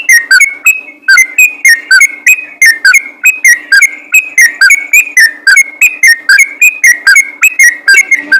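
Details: Yellow-vented bulbul's gacor ropel song, meant to lure other bulbuls into singing; a long unbroken run of loud, sharp whistled notes bouncing between two pitches at almost four per second, over a faint constant hum.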